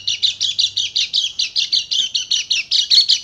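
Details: Short burst from a Dakun Bali white-eye: roughly a dozen clipped, high, metallic chirps in steady rhythm, played as a lure to make quiet white-eyes sing.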